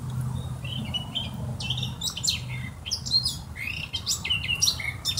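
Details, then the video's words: Eurasian blackcap song of quick scratchy warbles and clear whistled notes in uneven bursts, set against light background noise and a low hum. "Mönchsgrasmücke Gesang und Rufe"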